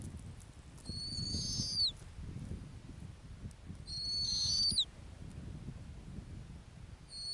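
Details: A female snowy owl nesting on Arctic tundra in a low-lemming year gives a thin, high, whistled scream held about a second and dropping at the end. It repeats about every three seconds over a low wind rumble.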